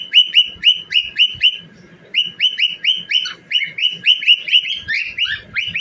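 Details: Cockatiel kept as a pet, singing while dancing: loud clipped whistled chirps in quick succession, one short gap, then a livelier stretch with a few downward-sliding notes mixed in.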